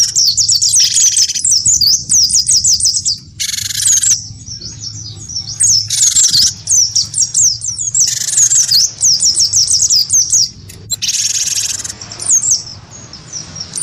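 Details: Cinereous tit, wingko type, sparring in song with a white-eye: long stretches of very fast, high, chittering whistles, repeatedly interrupted by rough, buzzy rasps of about a second each.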